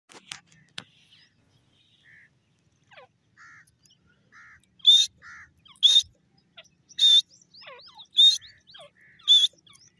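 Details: Grey francolin in forest giving loud, harsh, high-pitched calls repeated about once a second in five strong bursts. Softer chirps and short notes fill the gaps, with a few clicks at the start.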